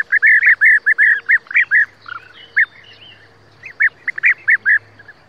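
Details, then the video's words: European bee-eaters give rolling, liquid 'prruip' calls in quick bursts of several notes, with a brief pause before another run, and faint other birds behind. "European Bee-eater sound / صوت الوروار الاوروبي"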